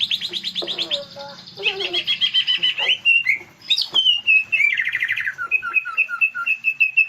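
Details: Green leafbird song used as a lure to draw out another bird's song fillers: fast high trills and rattles, then a run of clear repeated whistled notes with short descending slurs.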